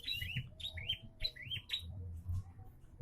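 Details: Bar-winged prinia, now singing more often, gives a brisk run of about four loud chirps, each a high note with a downward twist, closely spaced, then falls quiet against low rumbling.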